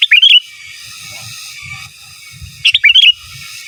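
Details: Master-song recording of a sooty-headed bulbul in 'gacor giras' and 'menggaruda' style: two bright, bubbling whistled phrases of several quick notes, one at the start and one near the end, separated by faint low background murmur.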